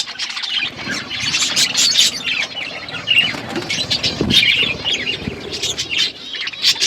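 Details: Budgies eating food, with unbroken high chirping and chattering warbles from several birds, brief whistles and an occasional dull thump.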